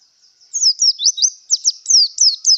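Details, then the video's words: Javan white-eye in breeding condition giving a quick run of high, sweet, slurred notes, each sliding downward or upward, strung together without pause after a brief quiet start. "Suara Burung Pleci Yang Sedang Birahi"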